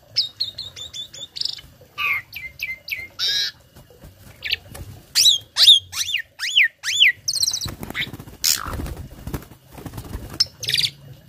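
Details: A tame captive starling sings a varied mimicry song meant to prompt and tutor other birds: rapid high chips, slurred whistles and downward-sweeping notes, with some rustling noise in the background.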